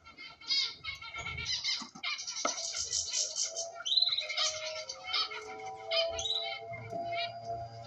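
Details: Pet cockatiels, kept as ornamental birds, giving a busy mix of screechy calls, rising whistles and chirps over several seconds, with faint steady tones in the background.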